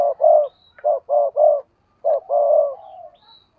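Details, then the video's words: Cooing of a decoy spotted dove in full voice: low, rounded coos in quick succession, a group of three followed by a lengthened, fading coo, against near silence. "tiếng cu gáy/ chim cu gáy mồi cây thúc gù căng lửa"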